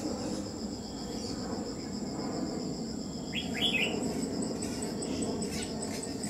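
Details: Red-whiskered bulbul during trapping, 27 July 2019: one clear, bright, quickly rising and falling warbled phrase mid-clip, set against continuous pulsing cricket trills and a low background hum.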